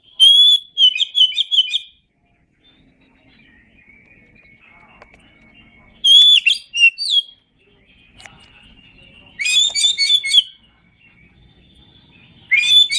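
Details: Tutor recording of an Oriental magpie-robin: four loud bursts of ringing, whistled phrases mixed with quick chirps, each lasting about a second and separated by pauses of several seconds with faint low background noise.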